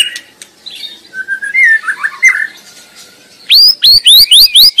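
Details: White-rumped shama (murai batu) singing vigorously in the wild: a varied run of slurred, warbled whistles, then five loud, ringing upslurred notes in quick succession, roughly four a second.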